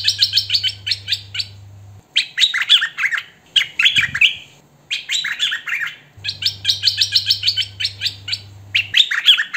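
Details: Hwamei song in the "thơm mồi" style, recorded by phone: loud bursts of rich, varied whistled and slurred phrases, high and bright, broken by short pauses, with a low steady hum in the background during parts of the recording.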